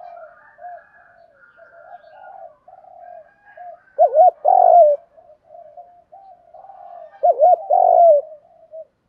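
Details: Spotted dove cooing, used to stimulate captive doves in training, with male and female voices; soft low murmuring coos run throughout, broken twice by louder, wavering, emphatic coo phrases about three seconds apart.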